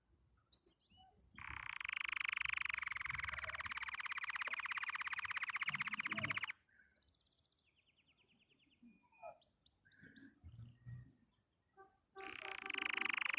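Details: Canary singing happily: a long, loud buzzy rolling trill lasting about five seconds, followed by quieter clicks, short rattling trills and chirps, then another buzzy roll starting near the end.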